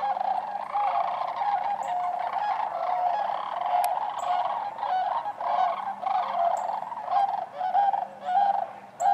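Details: Sandhill cranes among other waterfowl at Wheeler Wildlife Refuge in Decatur on January 12, 2013. A dense flock chorus of rolling, trumpeting rattles overlaps without pause, with some faint higher calls above.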